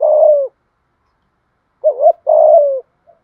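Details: Thúc gù cooing of a kept spotted dove, deep thổ voice: one long descending coo, a pause, then a wavering double note and another drawn, falling coo, low and mellow.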